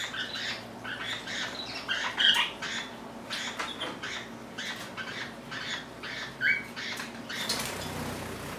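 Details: Lineolated parakeet (Bolborhynchus lineola) chatter calls from a pet bird with its linnie companions indoors: quick scratchy bursts broken by a few sharper high squeaks, with a louder rush of noise at the end.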